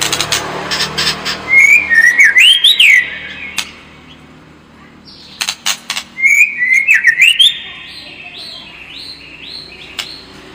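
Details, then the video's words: White-rumped shama lure song for building a fighting temperament: two brief, warbled whistled phrases of rising and twisting notes, each followed by a few seconds of quiet with scattered clicks. "SUARA PANCINGAN MURAI BATU AGAR MENTAL SEMAKIN FIGHTER"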